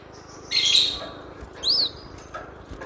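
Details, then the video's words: Cinereous tit, vigorously singing, recorded as a lure for training captive birds. A loud rasping chatter is followed by a single clear whistled note that arches up and down, then a soft faint call. "SUARA BURUNG GLATIK BATU MASTERAN AMPUH"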